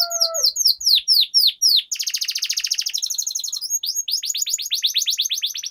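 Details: Canary singing a long rolling 'ngerol' song, used as a lure and training recording to prompt other canaries to sing. A series of sharp descending whistled sweeps gives way to a dense, rapid buzzy trill. Brief lower tones sound at the start.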